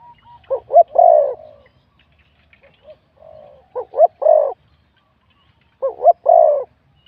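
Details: Spotted dove in a singing contest, a wild-born bird with a middle-to-big voice, scored 87 points. Three mellow coo phrases spaced a few seconds apart, each paired short notes leading into a longer drawn coo, with soft background calls.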